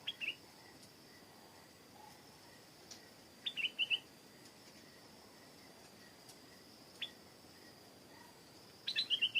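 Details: Stripe-throated bulbul singing in short bubbly phrases of quick chirped notes, heard three times with long pauses between, over a steady high insect whine.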